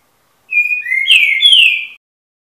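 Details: Eight-month-old young Green-winged Saltator (trinca-ferro) delivers one loud whistled phrase lasting about one and a half seconds: a flat clear note, a lower rising slur, then a rich, slightly falling warble. No other sounds are heard.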